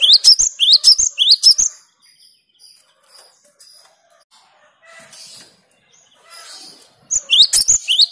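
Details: Cinereous tit (gelatik batu, wingko) singing clear, lively gacor-style song meant to rile rivals: bursts of sharp rising whistled notes, about two per second, opening and closing the stretch, with faint low calls between.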